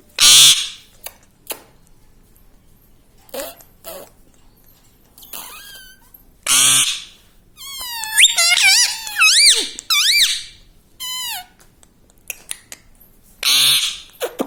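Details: Indoor pet parrot that talks "mummy papa" gives harsh broadband screeches spaced across the recording. In the middle comes a run of wavering, harmonic, speech-like syllables, with clicks and light tapping between calls.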